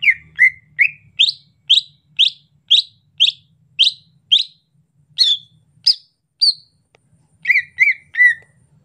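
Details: Rainy-season song of a greater green leafbird, soft chattering style: clear, loud whistled notes, each rising then dropping, repeated about twice a second with short gaps, ending in a few lower twittering notes.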